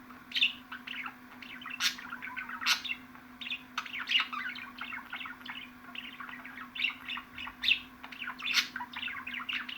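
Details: Budgerigar chattering steadily, high thin chirps and scratchy warbles broken by loud click-like notes, with a soft continuous hum in the background.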